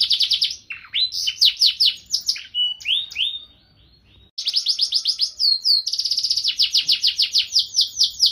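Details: A canary sings in a lively, ornate style with rich varied phrasing: fast rolling trills and rapid chirps at a high pitch, a brief pause, then dense buzzy rolls and sweeping whistled notes.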